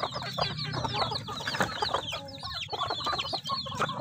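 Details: Chickens at their food in a crowded, noisy scene: constant overlapping peeps and clucks over heavy scratching and pecking, with a brief lull near the middle.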